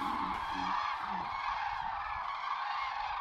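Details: Common cranes calling at sunrise over the watery Tister Bauernmoor under cloudy skies; a steady wall of overlapping trumpeting calls from a flock, with a few lower honking notes near the start.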